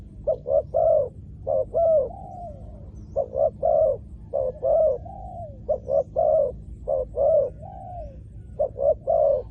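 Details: A spotted dove used as a decoy to lure wild doves down to the ground gives soft, mellow coos in short bursts, each phrase ending on a longer falling note, repeated about every second.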